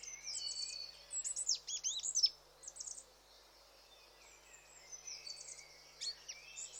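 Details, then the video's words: Goldcrest (Regulus regulus) giving very high, thin, sibilant notes in quick clustered bursts, with a brief flourish near the middle and quieter high calls after a pause. "Goldcrest [Regulus Regulus] Sound Effect"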